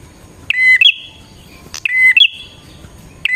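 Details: Lure song of a bar-winged prinia for attracting wild birds, two full phrases heard, each a flat clear whistle sliding into a drawn-out buzzy rasp, with a sharp click between them.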